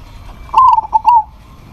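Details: Single loud phrase from a local zebra dove calling a rival: a quick run of stuttered, bubbling notes that ends in a smooth, slightly descending coo, over a quiet background.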